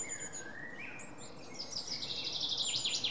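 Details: Long-tailed tit, 5 May 2019: a soft, low sliding whistle at first, then a rapid, buzzy, rolling trill of zigzagging high notes that grows louder toward the end, with faint steady background noise.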